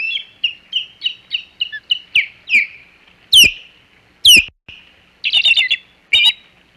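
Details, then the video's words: At the Hog Island osprey nest, 27 July 2020, an intruder sets off alarm calling: a rapid series of short piping chirps builds into loud, high, downslurred screams, then buzzy chattering bursts. "Intruder Alert - Hog Island Osprey Nest"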